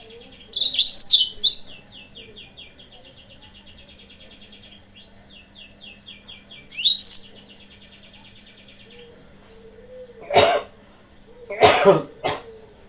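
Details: Lure song of a yellow-fronted canary meant to provoke rivals: a rapid high warbling phrase, a faint fast trill, then a second brief twittered phrase, followed later by two sharp knocking sounds.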